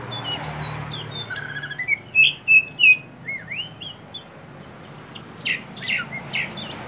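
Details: Oriental magpie-robin of the poci type singing in 'gacor konslet' fashion to lure raw birds into song: rising whistles, then three loud clear notes in a row, then softer chirps amid background hiss.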